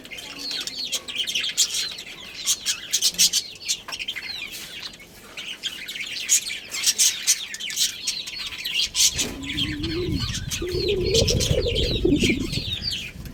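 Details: Budgerigars, a breeding pair, chirping: dense rapid warbling chatter of short high chirps, about four per second, with a low droning hum rising in the final seconds.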